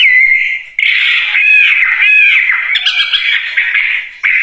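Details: Wambie bird holding a steady whistled note, then breaking into loud, raspy, squawking chatter mixed with brief whistles. Delivery is dense and continuous.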